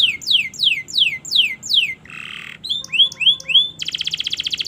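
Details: Canary training song: five loud descending slurs, a short buzzy rasp, rising whistled notes, then a fast even rattle-like trill.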